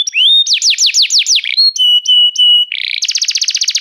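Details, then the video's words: Restless canary, singing a rising whistle, a quick series of falling slurred notes, several flat held tones, a brief rasp, then a rapid buzzy trill to the end. "o canário cantava inquieto"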